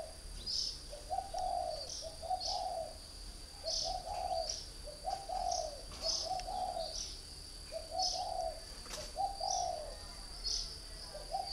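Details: Caged spotted dove from northern Vietnam, a three-year decoy bird, giving low, mellow two- and three-part coo phrases in steady succession, with sharp high chirps from another bird between them and a constant thin high whine behind.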